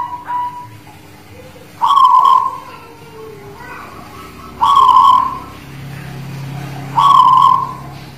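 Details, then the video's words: Zebra dove of the guling Murio type from the Muria mountains near Kudus, performing its song: three mellow, trilled coos that are loud at the start and trail off, about one every two and a half seconds, over a low hum. "Suara Perkutut Guling Murio Manggung Tangguh Demak"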